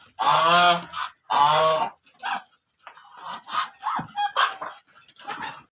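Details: Black ducks produce two strong, drawn-out nasal quacks, followed by quieter broken chatter and scattered softer notes.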